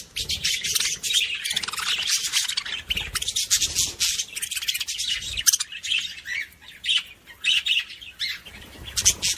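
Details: Budgerigars warbling to stimulate other budgies, a continuous run of scratchy, buzzy chatter mixed with short whistled chirps and squeaks, rising and falling in loudness.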